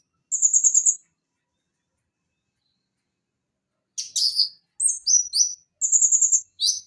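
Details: Konin, a small sunbird known for a varied voice, singing short high buzzy trills and sharp descending chips in quick clusters after a long silence; clean recording with no other sounds.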